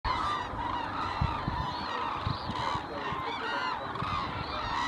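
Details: A large flock of hooded cranes gathered at Arasaki, Japan, in November 2017, giving a constant, overlapping chorus of loud, bugling, honk-like calls with no gaps between callers.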